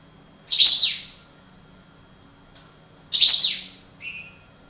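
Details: European goldfinch, parva form, from a breeding pair: two sharp, high chirping bursts about two and a half seconds apart, then a short thin whistled note.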